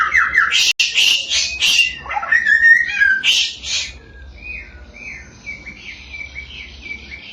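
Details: Samyong, called a thousand-voiced bird, in a lure recording to provoke other samyong: loud harsh buzzy bursts and whistles at first, then a quieter stretch of soft, wavering whistled notes.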